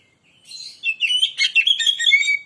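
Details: Kacer, or Oriental magpie-robin, singing a lure song meant to excite other birds: fast, jumbled whistles and chattering trills, bright and high, delivered in quick bursts without pause, with no other sounds.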